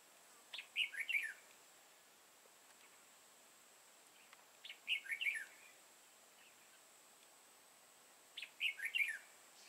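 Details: Red-whiskered bulbul lure bird singing competitively at a trap in Vietnam on 31 March 2018. Short, bright, warbled phrases repeat about every four seconds, three in all, over a faint high hiss.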